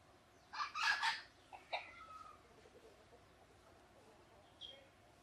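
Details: Red junglefowl living wild by a pagoda near Teuk Chob Khnar Po Community Forest, Siem Reap, Cambodia: a short burst of harsh squawking notes followed by scattered softer calls and a faint high chirp.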